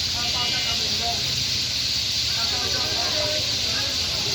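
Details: Sparrows massed in a bakul tree beside electric wires at Bhangura Bazar, Pabna, during their daily afternoon gathering; countless overlapping high chirps merge into a steady hissing twitter, and a man speaks nearby.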